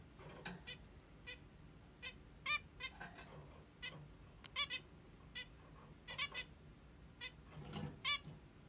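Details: A female zebra finch gives short, nasal, horn-like beeps in the morning, about a dozen at uneven intervals, over a quiet room hum.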